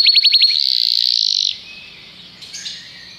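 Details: Brief canary song: a few quick descending notes merging into a steady buzzy trill lasting about a second, then fading to faint background.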